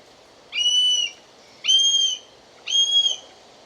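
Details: Wild buzzard giving three clear, even whistled calls about a second apart, each flat and slightly falling at the end, with a constant soft hiss behind.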